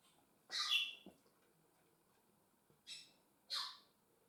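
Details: African grey parrots kept as pets indoors, one loud harsh squawk followed by two shorter calls, over a soft background hiss.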